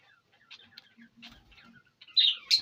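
Soft, scattered chirps and twitters give way to two loud, harsh screeches near the end, typical of a ringneck parakeet.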